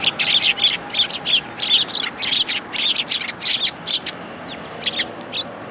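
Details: Eurasian tree sparrows gathering at a shrine grounds in January to be fed, giving a rapid run of bright, chirpy notes in close bursts, pausing briefly before a few final chirps.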